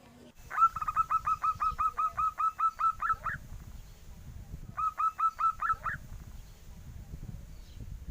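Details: Young zebra dove sounding like a duckling: a brisk run of evenly spaced, slightly upslurred peeps, then a pause and a shorter second run. Steady low rumbling noise and a faint high hiss run underneath.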